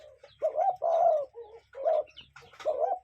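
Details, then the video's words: A cuckoo heard in nature gives low hooting two-part calls, a short lead note and a longer sustained one, with a softer note between and a faint low hum underneath. "Relaxing Cuckoo Bird Sound in Nature"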